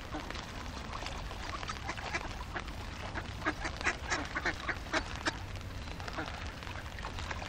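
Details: Around fifty hungry ducks: a busy chorus of quacks that thickens midway into a quick run of loud, closely spaced calls, then thins out.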